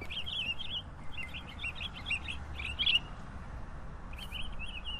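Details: Pine grosbeak giving a soft, even twitter of rapid warbled notes, a short break, then the twitter resumes; quiet low background noise throughout.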